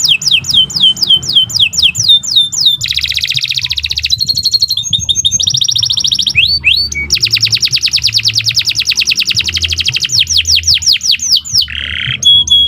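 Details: Canary singing a long, varied master song for training other birds, with falling whistled sweeps, buzzy trills and rolling rattles changing pitch in quick succession, almost without a break.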